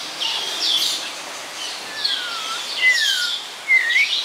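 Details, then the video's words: Snowy-crowned robin-chat, native to East and West Africa, singing in captivity at Chester Zoo: clear whistled phrases, some sliding downward, delivered in separate bursts with short pauses between them. "Snowy Crowned Robin-Chat Singing"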